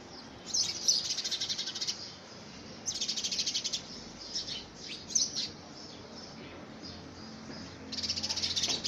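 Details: Fighting house sparrows contest a homemade nest box in early February 2017. Three bursts of rapid chattering chirps, each about a second long, are broken by calmer stretches with scattered single notes.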